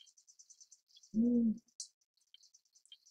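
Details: A single low, steady hoot from a tawny fish owl, about half a second long, set against thin, high-pitched insect chirps.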